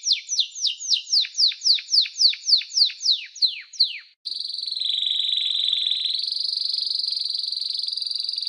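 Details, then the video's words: Singing canary gives a run of repeated falling chirps, then breaks into a long, steady, high rolling whistle that rises slightly midway. "Canary-Canario Singing 2017(Kanarya Ötümü)"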